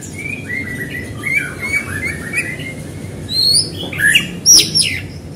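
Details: White-rumped shama singing to provoke other shamas: a run of warbled, slightly descending whistled notes, then louder sharp high whistles and rasping bursts near the end, against faint background hum.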